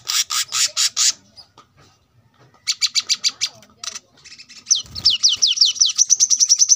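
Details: ['Brown-throated sunbird singing for caged-bird masteran practice: buzzy pulsed bursts, a pause, more buzzy notes, then an accelerating series of down-slurred whistles merging into a rapid high trill.']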